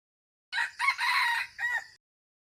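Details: Red junglefowl crowing: one rooster-like crow in three parts, a short opening note, a long harsh sustained middle and a brief falling end, lasting about one and a half seconds.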